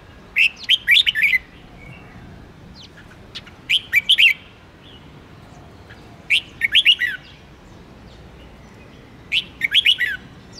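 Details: Red-whiskered bulbul 'ché' song used to excite other bulbuls into contest singing; a bubbling warbled phrase repeated about every three seconds, with faint notes between phrases.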